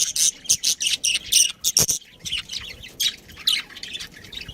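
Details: Pet budgerigar chattering: a fast series of loud, sharp, high chirps, roughly two a second, then softer, more scattered notes toward the end.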